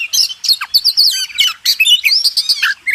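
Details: Oriental magpie-robin singing a master song for contest training: rapid, densely packed high notes, buzzy chatter and whistled slurs, with short bursts following quickly one after another.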